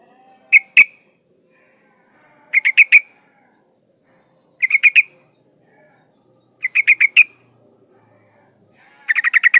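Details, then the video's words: Female yellow-vented bulbul in breeding condition calling to a male: short chattering bursts of three to six quick notes repeated roughly every two seconds, the final burst longer, over a faint continuous high hiss. "trucuk betina memanggil jantan"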